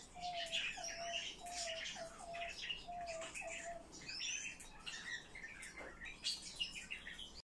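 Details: Eurasian blue tit giving high, chirpy calls over a series of short, lower, even tones repeated about every half second in the first half.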